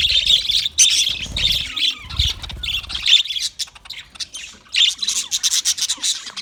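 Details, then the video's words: English budgie of Australian type chattering on February 14, 2024: buzzy, squeaky phrases in quick bursts with short gaps, a couple of low thuds early on. "Australian English budgie funny video"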